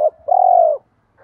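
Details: Spotted dove cooing, with male and female voices used to prod newly caught, reluctant doves into calling: a brief low note, then a long steady hollow coo, and a faint note at the very end.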